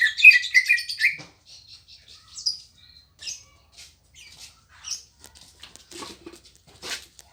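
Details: Caged green leafbird (cucak ijo) in lively gacor song: an opening burst of fast rich warbled notes, then scattered short chirps, clicks and whistled notes spaced irregularly.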